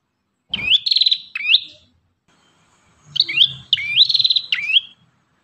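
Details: Lively singing from an Ashy tailorbird, used as master training material: two bursts of sharp, upward-hooked whistled notes at a high pitch, separated by a second-long pause, with a faint low rumble beneath.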